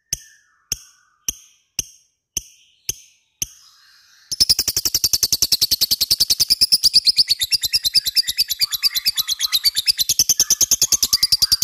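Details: Lovebird fighter-type ngekek, used as a lure to prompt other lovebirds to sing: seven sharp separate clicks spaced over four seconds, then a long, fast, buzzy rattling trill of evenly repeated high notes running to the end.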